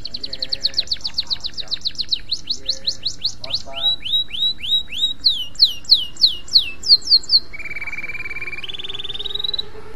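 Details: Canary master song for training young canaries: rapid descending trill notes, then slower spaced upward-sweeping chirps repeated about every half second, ending in low steady rolled trills stepping up in pitch, over faint background hum.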